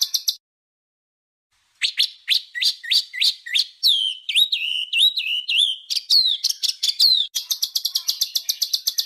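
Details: Harsh-style songbird tutor recording used to train pet and contest birds: a few high chirps, a pause, then rapid sharp downslurred whistles turning into fast ringing chatter and evenly repeated high notes.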